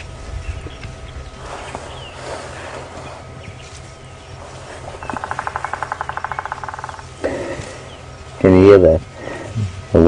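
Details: A Bearded woodpecker (Chloropicus namaquus) gives a territorial call: a rapid, even two-second run of sharp mid-pitched notes echoing down a drainage line. People talk and a vehicle rumbles; morning safari drive, Djuma Game Reserve, 16 September 2015.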